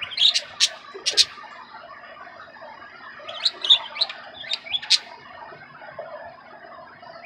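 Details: A female budgerigar begs another budgie to feed her, giving sharp, high squawky chirps in short bursts over soft background chatter.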